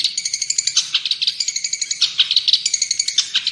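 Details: Long-tailed shrike tutor song for caged birds: dense rapid chirping, about seven notes per second, bright and steady with high overlapping squeaks throughout.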